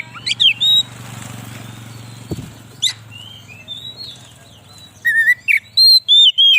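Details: Oriental magpie-robin, song meant to draw in wild birds: scattered thin whistles over a low engine drone and a sharp knock, ending in a loud series of clear, repeated whistled notes.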